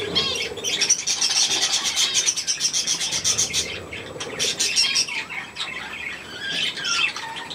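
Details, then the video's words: Young budgerigars and adults at millet, a busy flock of high chirps and scratchy twitters with fluttering wings, calls stacked closely and running without pause. "Hirse und die Jungen Wellis"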